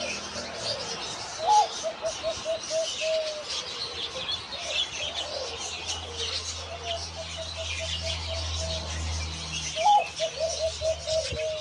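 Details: Zebra dove cooing: a sharp higher opening note followed by a rapid run of short, staccato, mid-pitched coos, the phrase given twice about eight seconds apart, over steady high hiss and a faint low hum.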